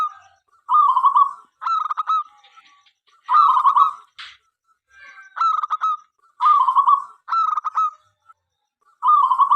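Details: Local zebra dove in animated song meant to invite other doves to join; clipped staccato notes and rolling coos in about eight phrases, with a short rustle early on.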